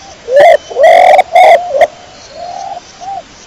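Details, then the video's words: Pigeon cooing loudly in a quick run of four notes, the first rising, followed by two softer, drawn-out coos in the background. "THE SOUND OF THE PIGEON CLEAR SOUND"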